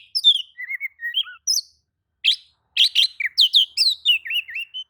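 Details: Oriental magpie-robin, stirred by another magpie-robin's singing, gives a lively stream of varied whistles, short warbles and harsh chips, broken by one brief pause.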